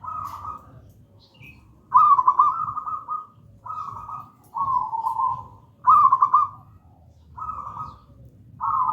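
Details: Local zebra dove singing in gedang rojo manner as lure and master song: a regular series of purring, tremulous coos, some with rippling trills, separated by short quiet gaps.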